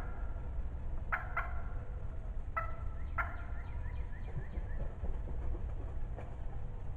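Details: Spring 2020 recording of a loud, talkative wild turkey hen close by: two pairs of yelps followed by a run of softer quick notes fading out, over a steady low rumble.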